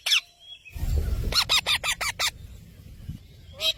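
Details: Green parrot giving loud, harsh screeching calls: a single shriek, then a rapid run of six grating notes, another screech at the end, with a low rumbling background.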